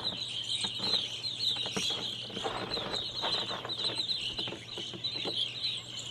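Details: A large flock of evening grosbeaks perched in maple trees in a yard chirp continuously, a dense chatter of short, high, overlapping notes with no pause.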